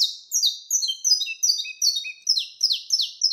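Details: Saffron finch delivering its wild-type 'canto mateiro' song: a fast stream of high, downslurred chips with faint lower whistles, roughly two and a half notes per second, without other sounds.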